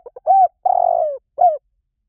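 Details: Spotted dove song of the 'liu tan' type, used to lure and train other doves to answer: two soft lead-in notes, a rounded coo, a long sustained descending coo, and a short closing coo.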